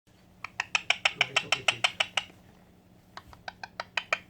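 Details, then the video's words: Pet white Indian ringneck parakeet, kept indoors, giving a rapid series of sharp, evenly spaced harsh chirps, about a dozen in two seconds, then a pause and another shorter run of similar clipped notes. "White Indian ringneck making beautiful noises"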